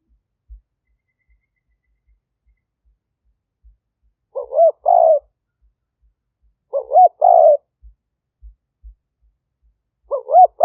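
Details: Spotted dove used as a decoy to lure wild doves, recorded live in 2021 at a dove-keeping camp in Roi Et, Thailand, on a smartphone: three phrases, each two short looping notes then a longer purring coo, with gaps between them.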